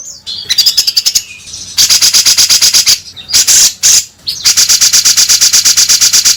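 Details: Grey-cheeked bulbul, used to prompt the bird into singing: long runs of fast regular rattling chatter with high chirps, broken by brief pauses.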